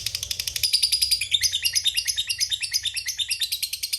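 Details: Fighter lovebird performing the long ngekek style, a lure to make rivals respond: quick, slightly uneven shrill chirps strung into a dense high chattering roll lasting throughout.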